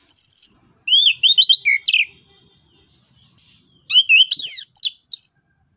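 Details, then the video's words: Orange-headed thrush singing as a lure for other birds: lively bursts of sliding whistles mixed with rapid chattering notes, two phrases split by a short quiet gap. "ANIS KEMBANG NGEPLONG NEMBAK BUAT PANCINGAN"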